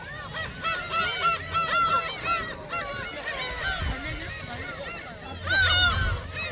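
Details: Feeding gulls at Seonjaedo, offered shrimp crackers, keep up a dense chorus of curved, wailing calls, many overlapping, loudest near the end, with low-pitched rumble underneath.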